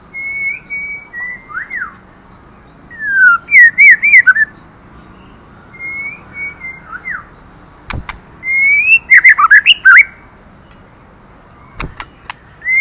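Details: Female white-rumped shama stimulating the male: long clear whistles near one pitch, then loud bursts of fast, rich warbled notes, with sharp clicks between phrases.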